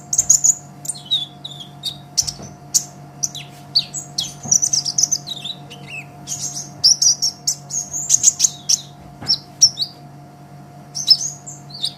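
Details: ['Olive-backed sunbird singing vigorously, a master track for teaching songbirds: a long, dense stream of shrill chirps, quick trills and twittering phrases that barely pause, with a soft steady electrical drone.']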